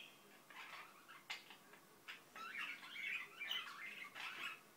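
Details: Indian ringneck parakeet, a pet bird, mumbling softly indoors: a run of quiet, rapid chattering notes, scratchy clicks and short warbled squeaks, irregular and varied in pitch, with brief pauses between bursts.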